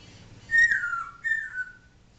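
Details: Pet African grey parrot giving two clear falling whistles in quick succession, each sliding downward.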